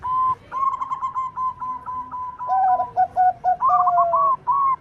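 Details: Zebra dove, local bird with a big 'kung' voice, singing to lure other doves: a run of short level whistled notes, then overlapping rolling coos stepping between two pitches and ending on drawn whistles.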